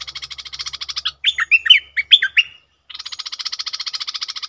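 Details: Decoy Red-whiskered bulbul alternates a fast, buzzy rattling churr of evenly pulsed notes with a short run of loud, slurred whistled phrases, then resumes the steady rattle.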